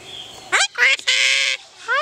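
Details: Pet yellow-collared miniature macaw in Paradise, California, recorded July 14, 2008: loud harsh squawks with rising harmonic notes, one sustained raspy burst near the middle and a rising upswept call at the end, with a woman talking nearby.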